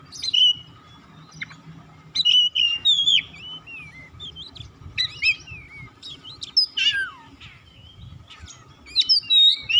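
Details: Song of an Oriental magpie-robin (kacer), meant to call and prompt a bird that has stopped singing: scattered bursts of varied whistles, rising and falling sweeps and sharp chips at irregular intervals over a faint steady hum.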